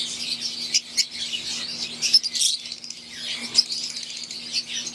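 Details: Captive Fischer's lovebirds, wild-type green, with Euwing lovebirds in an aviary, giving shrill chirps and brief squeaky notes among continuous group chatter, backed by a steady low hum.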